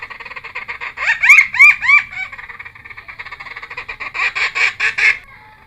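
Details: Cucak timor singing, recorded to lure and tutor wild-caught birds: a dry buzzing chatter runs throughout, with a few loud, clear looping whistles in the middle and a bright chattering burst near the end.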